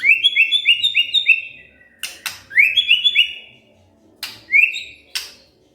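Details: White-rumped shama singing after being provoked, a run of bright rising whistled notes repeated quickly, then a pause with sharp clicks and a second burst of upslurred whistles.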